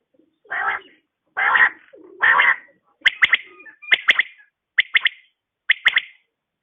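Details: A calling female quail in the morning gives three harsh, buzzy notes, then four sharp, liquid phrases of two or three quick clicks each, roughly one a second.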